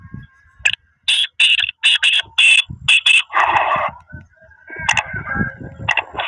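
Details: Black francolin call, part of a mixed set meant to rouse and quickly draw in other francolins: a run of harsh, grating bursts about twice a second, then a longer rasping note and softer scratchy calls, with low thumps beneath.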